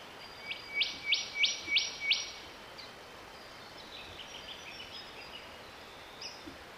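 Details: A Cicadabird in Victoria, Australia, in January 2024 gives five quick, buzzy, insect-like notes, about three per second, followed by faint chips and twitters from other birds.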